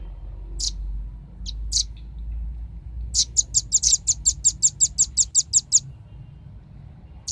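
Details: Velvet-fronted nuthatch song used as a lure recording to attract birds: a few scattered sharp high chips, then a fast even series of about fifteen piercing high notes, roughly six per second, over low background rumble.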